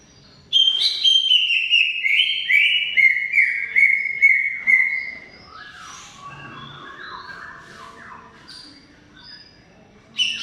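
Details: Long 'gacor' song of the greater green leafbird: a loud stepped sequence of clear whistles descending in stages for five seconds, followed by quieter chattering twitters, with a final bright note at the end.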